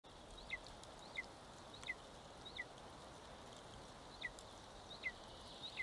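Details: One-month-old Golden Eagle chick at its nest in Estonia, feeding on 25 May 2022, captured by a live nest camera: thin, downslurred peeps repeated roughly once a second over steady background hiss.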